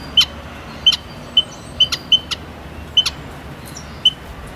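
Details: Evenly spaced thin, high piping notes from a white-headed munia, roughly one every half second, each often accompanied by a sharp click.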